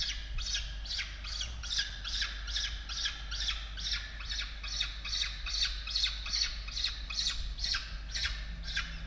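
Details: Peregrine falcons at their Australian nest, evening feeding of chicks on 16 October 2022: loud, harsh squawks repeated rhythmically over two per second throughout, steady and insistent, with faint low hum.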